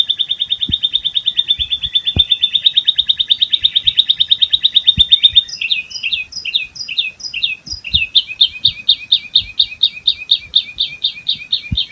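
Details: Asian pied starling performing ngerol isian, a long continuous mimicry song of several imitated bird species, learned by tutoring. A rapid pulsing trill lasting about five seconds switches abruptly to jerky, repeated chirps in quick succession.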